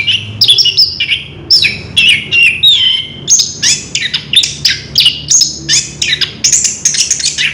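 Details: Orange-headed thrush recorded on 3 March 2016, pouring out a rolling ngerol song: rhythmic, evenly spaced bursts of high whistles and chattering notes, each lasting under half a second.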